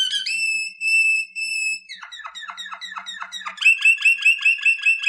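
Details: Waterslager canary song for training: clear held whistles at a steady pitch, a sequence of quick falling chirps, then loud bubbling trilled phrases repeated rhythmically several times a second.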